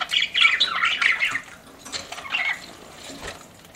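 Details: Pet budgies warble busily with buzzy chirps at first, then the chatter thins to faint scattered twitters.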